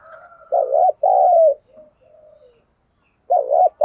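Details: Spotted dove used as a decoy calls a warbling coo and a drawn-out falling coo, then softer trailing notes, before the phrase starts again.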